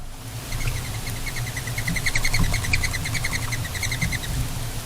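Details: Mourning Dove wings squeak on a rooftop as a flock of a dozen or more feeds on safflower seed during and after a snowfall: a fast series of thin, high squeaks, three or four a second, over a low rumble.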